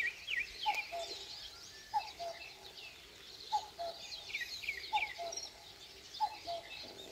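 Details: At daybreak in rural Korea, a common cuckoo repeats its falling two-note call five times, roughly every 1.3 seconds, with other small birds twittering and trilling at higher pitch throughout.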